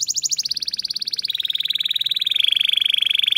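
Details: Captive canary in a breeder's canary room, singing a very rapid rolling trill that starts high and steps down twice to lower, steady rolls.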